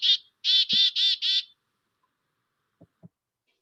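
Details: A Black-capped Chickadee in Montana gives its namesake chick-a-dee call, a short high note and then four rapid buzzy 'dee' notes, followed by a couple of faint low thumps.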